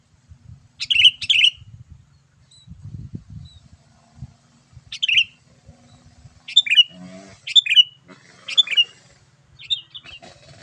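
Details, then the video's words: Sooty-headed bulbul, lively gacor calling to lure wild bulbuls: several bubbly double-note phrases spaced a few seconds apart, later a run of sharper, quicker chirps about once a second, with low thumps underneath. "memikat burung kutilang dengan suarany yang gacor"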